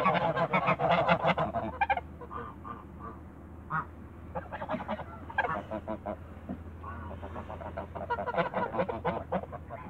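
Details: Backyard Toulouse geese open with a dense cluster of raucous honks, then trade spaced, shorter nasal calls, picking up again toward the end; a low steady hum runs underneath.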